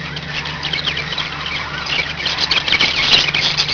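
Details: Pet budgerigars kept as a small group, giving a dense, continuous chatter of high, scratchy warbles and squeaks that grows busier and louder toward the end.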